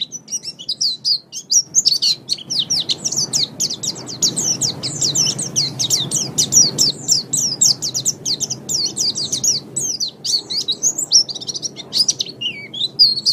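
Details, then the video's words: White-eye song, a tutoring recording for caged songbirds, best played in morning or evening. A fast, continuous stream of very high, thin chirps and twittered notes with quick downward slurs, unbroken for the whole stretch. "Masteran Terbaik Pleci Mata Putih"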